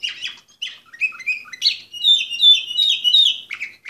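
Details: Orpheus breed canary, a bird entered as number 24 in 2014, singing a varied run of bright chirps and short trills, the phrases rising and falling, fuller and louder in the second half, in a quiet indoor room.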